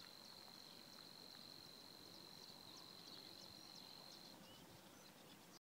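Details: Reeling song of Savi's warbler, recorded 16 April 2016 at Týnecké mokřiny nature reserve: a monotonous high buzzing trill sustained for about four seconds, then stopping, over faint low ambient noise.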